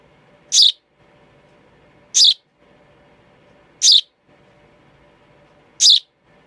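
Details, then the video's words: Baby sparrow repeating a brief, shrill chirp four times, each note clipped and high, separated by pauses of under two seconds, faint hum behind. "A baby sparrow makes a chirping sound"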